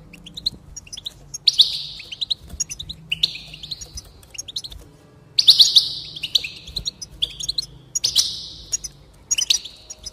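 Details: Sung phrases from a goldfinch to encourage singing, spaced out in short bursts every couple of seconds, each a cluster of sharp chirps sliding into a buzzy, descending trill over a quiet background.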